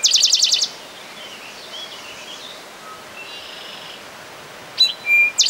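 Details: Eastern towhee at Rondeau Park in June 2013: a rapid high trill opens, then faint distant calls over steady background hiss and a sharp note pair near the end.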